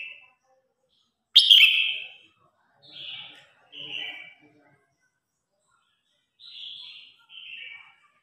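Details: Red-whiskered bulbul competition song, calling the flock: a loud warbled phrase followed by shorter, softer downslurred notes in spaced pairs, with silent gaps between them.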